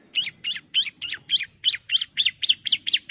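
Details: Female bar-winged prinia calling the male: quick, sharp chirps, each sliding up then down, repeated about four times a second in a steady run of twelve notes.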